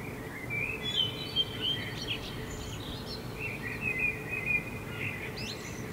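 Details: Common blackbird singing at night in July 2016 in Helsinki, Finland, as a full moon sets over rooftops: clear fluty warbled phrases with high twittering flourishes, repeated through the clip over a steady low urban hum.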